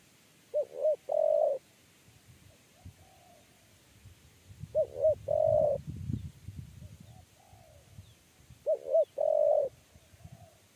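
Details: Spotted dove, a 'kuk 3' caller, chased and lured into a trap cage. Three coo phrases, about four seconds apart. Each has two short rounded notes and then a longer steady note, with faint rustling between phrases.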